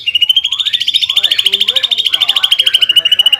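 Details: Greater green leafbird song used as a lure to provoke a rival bird into excited singing: a rapid, steady pulsed trill held at a high pitch throughout, with fainter lower chirps and slurred notes beneath.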